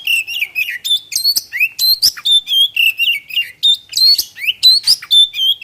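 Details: Kacer, the white-rumped shama, in loud continuous song meant to prompt other birds into singing; bright whistled phrases alternate with crisp chips and upslurred notes, repeated in quick succession with no background sounds.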